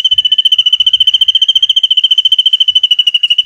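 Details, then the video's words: Drongo song with long cililin-type phrases, used as tutor material for white-rumped shamas. One unbroken, very even, high rattling trill of rapid pulses continues at a steady pitch throughout. "SRIGUNTING ISIAN CILILIN NEMBAK PANJANG UNTUK MASTERAN MURAI BATU"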